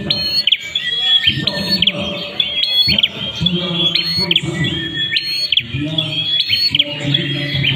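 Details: An ashy prinia delivers a loud, continuous high whistling song with repeated sharp, clipped note flicks at a brisk, fairly even pace, while a low murmuring noise runs underneath throughout.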